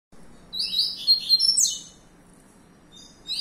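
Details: A young captive-bred double-collared seedeater kept for breeding and song competition sings a quick, bright twittering phrase of high sliding whistles and trills for about a second and a half, then briefly starts another.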